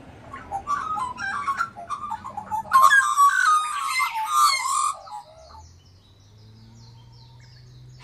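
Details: Australian magpies of a family rearing chicks; fluted, yodelling warbles build into a dense, loud carolling chorus lasting about five seconds, then fade to a steady low hum.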